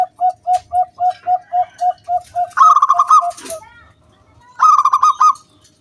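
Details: Zebra dove singing to coax other doves to call: a fast series of short, even low notes about four per second, then two bursts of a bright, buzzy rolling trill separated by a pause.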